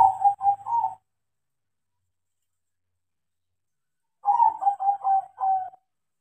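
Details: Actively singing crossing zebra dove, trained by its keeper: short bubbly coo phrases of rapid pulses, a long silent gap, then another rolling four-part coo sequence.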